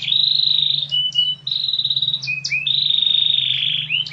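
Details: Canary song made of long, smooth rolling trills held at an even pitch, broken by short whistled slurs and a lower trilled passage.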